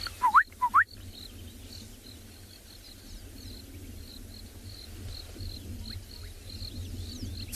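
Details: Gorgeous Bushshrike, quite distant, calling at sunrise in the cool morning on 24 December in Tswalu Kalahari Reserve, South Africa: two quick, clear whistles sweeping upward over faint, steady high chips from other birds or insects.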